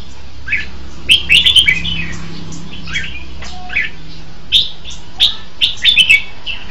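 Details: Red-whiskered bulbul song made of short, bright warbled phrases, some with sharp clicks, repeated through the recording with brief gaps. A faint low hum runs underneath.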